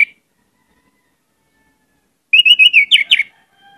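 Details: Orange-headed thrush in lively song, used to prompt other birds: a lone short note, a pause, then a fast phrase of level whistled notes ending in three steep downslurred notes.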